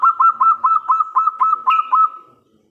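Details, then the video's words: Strong-voiced local zebra dove calling to prompt other doves to respond: around ten rhythmic, evenly spaced coo notes on a steady mid pitch, fading into a drawn-out final note. "PERKUTUT LOKAL GACOR suara besar - LANGSUNG KONEK (BIKIN NYAUT) PANCINGAN BURUNG PERKUTUT"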